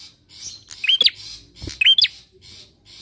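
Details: Bar-winged prinia song used as a lure to prompt other birds to sing: two sharp rising-then-falling whistled notes with a hooked upturn, about a second apart, over faint buzzy chatter and soft background hiss.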